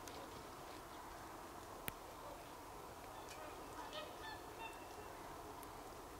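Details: Swans on 24 December 2020: a few faint, short honks cluster near the middle, set against a constant broad hiss with one sharp click.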